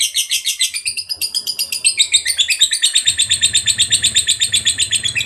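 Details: Lovebird in long chattering song used to spur other lovebirds into singing: rapid, rasping pulses, sliding slightly higher after a second, then a steady fast trill repeated several times each second, faint low hum behind.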